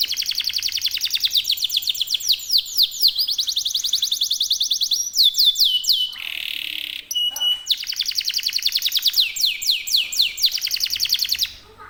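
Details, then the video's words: Kenari canary's long unbroken rolling song: rapid high trills of downward-sweeping notes for many seconds, a brief buzzy insert and clicking notes midway, then trills resume until stopping abruptly. "NGEROL SEJALUR DURASI PANJANG..!"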